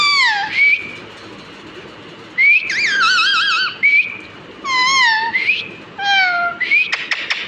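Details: Pet parrot mimicking human speech: clear wavering, whistled tones with a speech-like warble, given in short bursts separated by pauses, some notes gliding upward and others sliding down.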